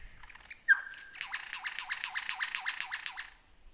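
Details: Lyrebird song for teaching caged birds: a short whistle and a sharp note, then a rapid repeated rolling trill of about a dozen swooping notes.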